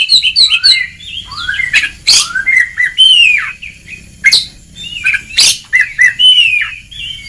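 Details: White-rumped shama in a training recording meant to stimulate lazy birds to sing, called ngeplong style: varied whistled phrases, quick falling notes and harsh sharp bursts, loud and rich.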